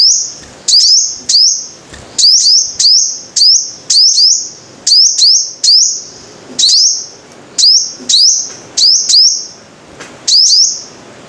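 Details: Rapid series of high, sharp sunbird notes from a five-coloured sunbird, each bending upward into a ringing held pitch, mostly in pairs, repeated steadily for over ten seconds with one brief pause.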